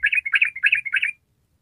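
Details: Yellow-vented bulbul, 'ropel panjang' chattering style: one quick, bubbly phrase of four rolling warbled notes lasting about a second, ending abruptly in silence.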